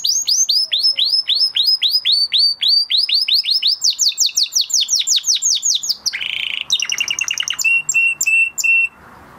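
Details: Male canary singing after moulting: a long series of loud sweeping notes repeated about three times a second, then a faster high trill, a buzzy burst and evenly spaced clipped whistles.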